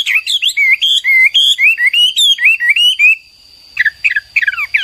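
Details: Hwamei song of loud, clear rising and falling whistles strung rapidly together, then a pause and a few quieter sharp notes, with a constant high electronic whine.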